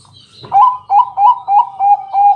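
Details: Bangkok zebra dove, a loud local singing bird, recorded at night as a lure to draw other doves into song: a short burst, then six soft, rounded cooing notes repeated about every third of a second, steady and low.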